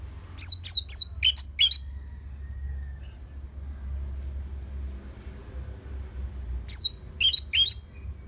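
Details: Orange-headed thrush song for tutoring other birds: a fast string of five sharp, high descending chirps, a long pause, then another quick burst of similar squeaky notes over low rumble.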